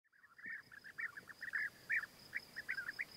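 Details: European bee-eaters during courtship, the male winning the female's favour by offering food gifts; a faint run of short rolling, trilled notes repeated quickly in an irregular series over a steady background hiss.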